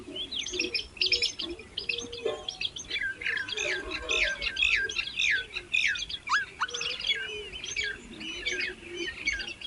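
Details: Hungry young birds calling while their mother feeds them: rapid, insistent high chirps and downward-sweeping squeaks crowd together almost without pause. Softer low notes sit beneath.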